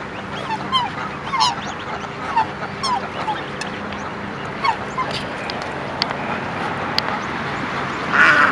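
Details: Black swans (Cygnus atratus), with cygnets: short, slightly nasal honking notes, several birds overlapping at an irregular pace, over a steady low background hum.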